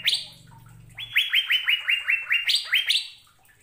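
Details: Asian fairy-bluebird song used as a training recording for caged songbirds. A low hum at the start gives way to a rapid chain of sharp, rising whistled notes, with two higher-pitched notes near the end.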